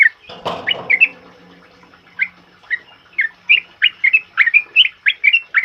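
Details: Loud ropel uplik song of a sooty-headed bulbul, used to train other birds: a broad thump and a low hum at first, then clear whistled notes that grow quicker and denser toward the end.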